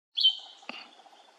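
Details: A male Narcissus flycatcher gives one bright, high whistled note that holds and falls away, followed by a single sharp click and a faint trailing tone.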